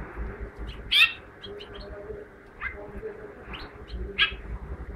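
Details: Lesser (Mexican) goldfinch song: scattered high, thin chirps and short twittering notes about once a second, over a steady low background hum.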